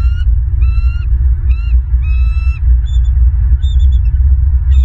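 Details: Bald eagle at a nest in Southwest Florida, filmed by a live nest camera on 16 November 2022 in the afternoon: a series of clear, tonal, slightly rising piping notes with ringing overtones, spaced about half a second apart, over a steady deep rumble.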